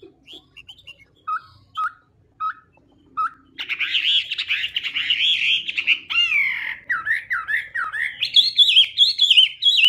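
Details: Chinese hwamei giving a few spaced, short notes, then launching into a full loud song of tumbling warbles, followed by rising, looping whistled phrases that climb higher toward the end.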